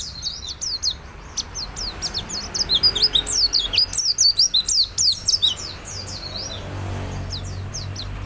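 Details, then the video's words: A lively white-eye pours out rapid, thin, high chirps and twittering notes in a continuous stream over a faint low hum, recorded as a lure to get other birds singing. "Pleci Gacor untuk buat Pancingan Bahan"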